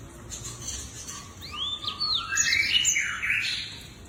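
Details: Lemon-breasted canary song: high sweeping whistled slurs and bright buzzy phrases rising and falling, crowded together into a rich warbling burst over faint background hiss.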